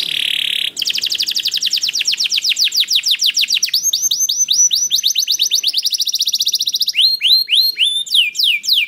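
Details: Canary song played as a lure to set other canaries singing: long fast trills of high, sweeping notes that change rhythm and pitch every second or two, bright and continuous throughout.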